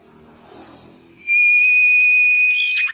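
A common iora gives one long, steady, high whistle held for about one and a half seconds. It ends with a brief sharper flourish after a faint, low murmur.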